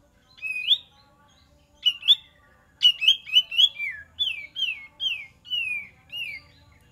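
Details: Cream-vented bulbul singing to lure wild birds: clear whistles that start sparse, then come as a rapid series of about nine downward-slurred notes against a quiet background.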